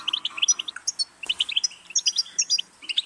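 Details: Lively European goldfinch song: quick liquid tweets and buzzy notes strung into jangling phrases, with one sharp click partway through.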